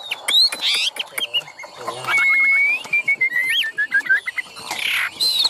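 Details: Caged Chinese hwamei giving scattered whistles and harsh notes, then a clear sliding whistle and short bouncing phrases, with a man talking quietly in the background.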